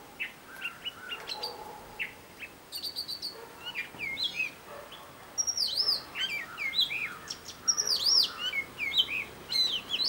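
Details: Robin, a great mimic, singing in different tunes: soft lower whistles give way to a rich run of high looping slurs, twitters and repeated chirps, growing fuller and more varied over ten seconds.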